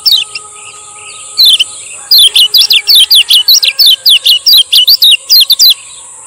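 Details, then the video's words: Energetic 'ciak ciak' song of a male Lombok lemon-bellied white-eye, played to restart singing in stalled birds: after a few opening chirps, a long even series of sharp falling notes, about three per second, over hiss. "SUARA BURUNG KECIAL KUNING MASTERAN KECIAL KUNING PANCINGAN"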